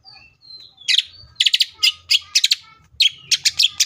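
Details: Green leafbird singing in the energetic 'full tembakan' style: a thin whistled opening, then clusters of sharp, rapid, high chirping bursts about every half second, with faint low rumble beneath.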